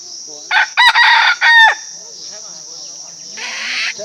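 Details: A decoy rooster crows once. It is a loud, harsh, broken crow in three bursts lasting about a second, followed by quiet murmuring voices and a steady high insect buzz.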